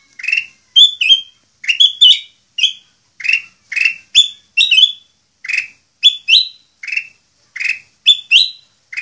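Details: Kutilang emas, a popular Indonesian songbird, singing long and vigorously for use as a tutor recording: short, bright, whistled phrases of two to three slurred notes, repeated about twice a second, with clean quiet between.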